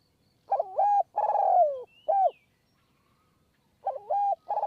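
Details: Spotted dove cooing on a perch in high forest of Kanchanaburi, Thailand, at a decoy, during a marathon 170-coo bout; a complete three-part phrase, wavering, long falling, short arched, then the next phrase starting.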